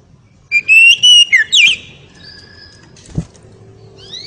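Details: Oriental magpie-robin singing in ngeriwik style, said to excite the female: loud whistled phrases that rise, then a zigzag trill, about a second long, followed by quiet with a single click.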